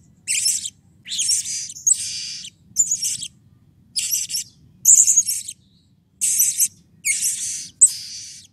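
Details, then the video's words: A run of blue-crowned hanging parrot calls used to stimulate other birds to sing. About ten sharp, buzzy, very high screeches follow each other at uneven intervals of under a second, over a quiet low hum. "SERINDIT GACOR EMOSI || Pancingan Ampuh Agar Serindit Rajin Bunyi"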